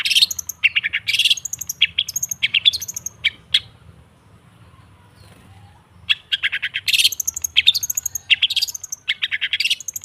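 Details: Long-tailed shrike song used to coax silent birds into singing: loud, raspy chattering phrases and high squeaky notes, broken by a quiet pause of about two seconds before the harsh, busy chatter resumes.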